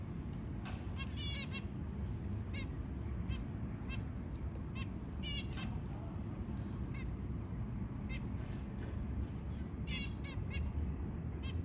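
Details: Newborn babies fed by a white zebra finch; frequent short nasal calls, often in rapid clusters of two or three, come throughout, with persistent low-pitched background rumble underneath.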